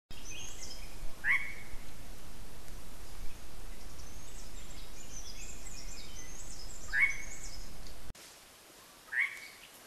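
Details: Black-hooded oriole: a short harsh downslurred call repeated about three times, several seconds apart, over steady background hiss with faint higher calls of other birds.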